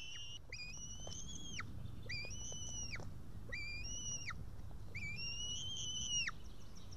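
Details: Young female white-tailed eagle on its nest in Estonia, 8 June 2018, evening, calling for a parent to feed it fish. Four drawn, plaintive whistles, each about a second long with a downward flick at the end, repeat steadily.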